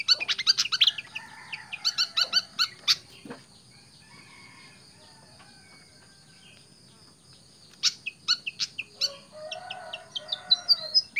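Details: Tame pied fantail chattering in rapid runs of squeaky, high notes. A loud opening burst gives way to a long lull, then the bird resumes with another fast series of sharp chirps. A faint steady hum runs throughout.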